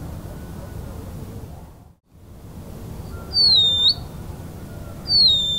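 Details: Band-winged nightjar: after a short near-silent gap, two high, thin whistled phrases, each falling slightly then snapping upward, about 1.7 seconds apart, with steady low background noise.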